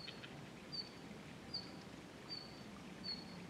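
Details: Red-flanked bluetail, unseen, recorded 20 March 2012, gives a thin, high whistled note over and over, about once every three-quarters of a second, above a steady low rumble of running water or distant engine.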